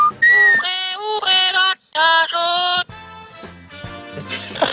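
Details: A female parrot in a parrot breeder's aviary, asked to sing a little song, sings a short tune in clear, tonal notes, several held phrases in a row, before a person begins talking.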